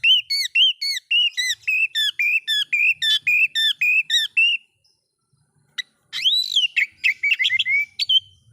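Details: Oriental magpie-robin song used to provoke other magpie-robins: a long, rhythmic series of rich hooked whistles repeated nearly twice a second, a brief silence, then a loud arched whistle and rapid varied chirps.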